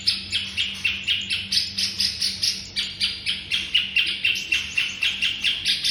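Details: White-rumped shama singing, a training master for caged songbirds: a long, steady stream of sharp, buzzy chirps repeated several times a second with slight pitch shifts, over a faint continuous low hum.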